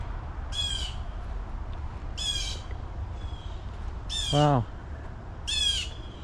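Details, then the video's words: Blue Jays screaming loudly along a trail at River Bend Nature Park by the Tomoka River, Ormond Beach, Florida: four harsh, nasal screams, each about half a second, spaced one to two seconds apart, over low rumble and a brief human voice. "You can hear those blue jays screaming. Wow, he's"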